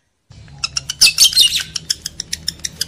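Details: Lovebird calls played to arouse breeding males and females: after a brief silence, a run of sharp high clicks and chirps, then a dense burst of shrill squeaky chatter, followed by steady ticking chirps roughly every tenth of a second.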